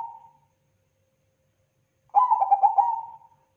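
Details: End of one note, then a complete crossing-style phrase from a Bangkok-type zebra dove: rapid soft pulsing coos sliding into a sustained mellow tone.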